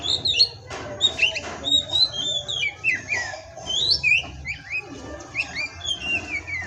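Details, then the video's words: Kacer, the Oriental magpie-robin, delivering a pastol-style song of quick whistled slurs and downward-sweeping notes, some scratchy bursts between phrases, over a faint low background rumble. "Masteran Pastol Kacer"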